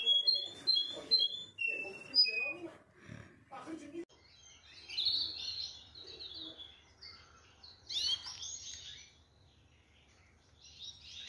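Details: Canary song opening with short, bright whistled notes in quick pairs, then shifting into rich buzzy rolling trills that surge and fade. Human voices murmur during the first few seconds.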